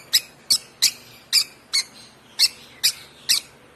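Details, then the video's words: Hand-reared African lovebird chick aged one month, hand-fed since two weeks old, gives a quick series of eight clipped, high squeaky chirps, evenly spaced about every half second. "Chirping sound of this lovebird"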